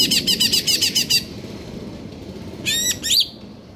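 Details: Greater green leafbird, KLO type in stable condition, singing in the konslet kejer nembak style: a rapid buzzy pulsed trill for about a second, then a pause and two sharp, bright, falling whistled notes. A low background hum is present.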